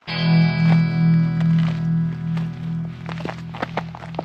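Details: Plucked-string music plays with a steady low drone and several sharp knocks, and no animal can be heard.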